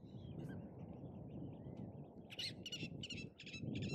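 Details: Saunders's gulls on a sunny, nearly deserted winter day at spring tide on the Sanbanze tidal flats, Japan, calling with heads raised and looking up, possibly a pair calling to each other; about five harsh, rasping notes in the last second and a half over low wind rumble.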